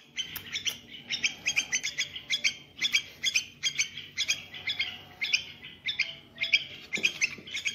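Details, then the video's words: Small young bulbul singing to get bulbuls active: dense run of sharp chirped notes, about two per second, bright and high, continuing throughout with a brief low thump near the end. "تغريد بلبل صغير 🐥 لتحفيز البلابل على النشاط"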